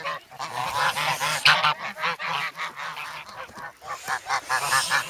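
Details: In the snow at Sloterpark, Amsterdam, on 3 February, grown goslings beg noisily for bread and peck, recorded with a Sanyo-SH1. Rapid overlapping honks give way to a steadier series of separate nasal calls.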